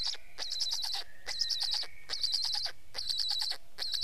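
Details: Black stork producing rapid squeaky, chattering bursts, four to five short pulses per burst, bursts following each other about every second with a faint background whine.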